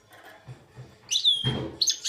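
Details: Two-year-old goldfinch × red siskin hybrid, in Belfast, singing: a brief burst of high, thin twittering with a sliding whistled note dropping in pitch, then more bright chirps. A dull knock sounds midway.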